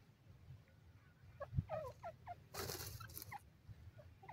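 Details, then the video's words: Male grey francolin on its first day in the jungle, announcing its presence: faint, short rising chirped notes in a loose series, with a brief loud rushing noise burst in the middle and low rumble beneath. "nar teetar ki awaz pehla din jungal mn,male partridge bird ke boli"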